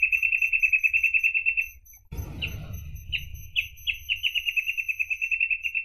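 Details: Reed parrotbill, a rare endangered songbird, singing a rapid, even trill of short high notes that stops, gives way to a brief low thump, then restarts with separate slurred notes speeding back into the trill.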